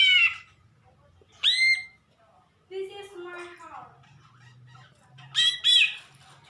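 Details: A greater green leafbird making an odd sound, with harsh rising-and-falling harmonic notes in short bursts and a lower, softer wavering passage in the middle.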